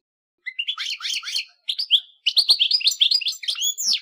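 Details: Real European goldfinch singing: after a short silence, bright chirps and slurred twittering notes tumble quickly, broken by two brief gaps, then a dense run of high tinkling phrases and a rising whistle at the end.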